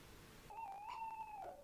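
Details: Tawny owl recorded on 11 January 2026: one faint, steady hooted note lasting about a second, rising slightly toward the middle and dropping at the end, over quiet background hiss.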